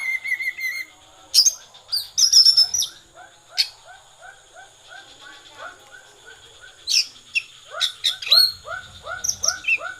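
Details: Oriental magpie-robin, 'konslet' song style: scattered piercing whistled notes and harsh chattery bursts between quieter stretches filled with a regular ticking series of soft lower chirps.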